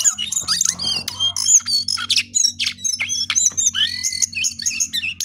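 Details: Cingcoang coklat (lesser shortwing) singing hard: high, bright whistles and chirps, some slurring downward, delivered in quick succession over a faint, steady low hum.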